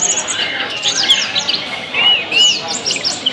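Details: Tledekan song used to spur caged birds into singing. Quick, jerky high chirps and slurred notes, then two clear arched whistles, with other twittering behind.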